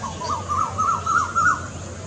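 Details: Cuckoo giving its second type of call: a series of short, wavering, rising whistled notes in the middle register, repeated rapidly over a low steady hum.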